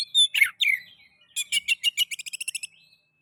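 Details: Oriental magpie-robin lure song for encouraging other kacer birds to sing: slurred whistles, then a rapid accelerating series of bright chirps repeated about ten times.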